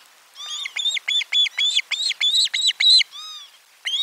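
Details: An osprey at a nest, recorded on 12 July 2022, gives a rapid run of about ten shrill, whistled, down-slurred notes, roughly four a second, then a short pause before the calling resumes.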